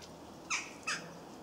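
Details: Juvenile European goldfinches in a garden in Cornwall, filmed on 22 September: two short, harsh, buzzy calls about a third of a second apart, over a soft steady background hiss.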